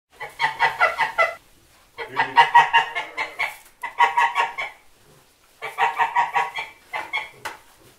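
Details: A domestic white goose on a farm gives nasal, harsh honks in quick bursts of five to eight notes, with short pauses between the bursts.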